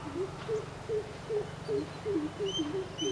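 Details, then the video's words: Deep booming hoots from a greater coucal, about eight evenly spaced notes in three seconds, some paired; faint high whistles from other birds and a low hum underneath. "Greater coucal call"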